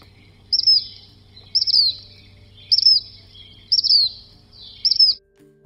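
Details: A Black Phoebe, a flycatcher at Madrona Marsh Preserve in coastal prairie, upland and wetland habitat, gives its sharp whistle. Five high notes, each quickly rising then falling, come about once a second over a faint low hum.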